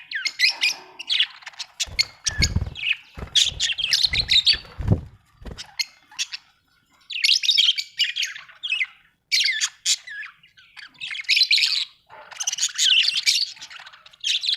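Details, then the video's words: Budgerigar chirping in a long run of high, grating warbles and chatter, with a few low thumps early on and quiet gaps between later phrases. "happy budgie chirping sound"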